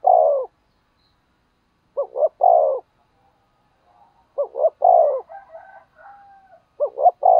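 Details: Decoy spotted dove giving provoking coos to stir wild doves into calling. Steady phrases of two quick notes and a long falling coo, about every two and a half seconds, with faint twittering from another bird.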